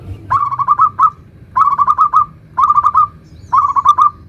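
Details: Lure song from a local zebra dove, 'nutut' variation: four evenly spaced phrases, each a quick stammering trill of five or six coo notes, roughly one phrase per second.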